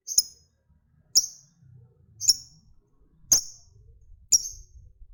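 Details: Lovebird ticking steadily, a fighter bird used so that other lovebirds answer with long ngekek trills. Five shrill, sharply clipped high chirps repeat roughly every second, with low muffled background noise.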